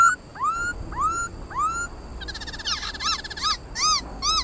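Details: Black laughingthrush giving competitive fighting song to stimulate other birds: rising whistled notes about three a second, then a busier run of quick ringing, arched phrases, over faint background hiss.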